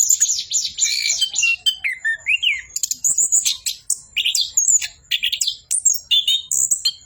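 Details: Orange-headed thrush singing continuously: scratchy chattering at first, then rising and falling whistled slurs and crisp high chirps in rapid succession.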